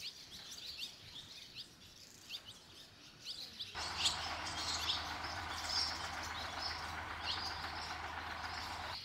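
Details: Barn swallow chicks leaving the nest, five fledging in under three minutes amid many already-fledged young; rapid high chirps, several a second, then a steady low hum joins partway through.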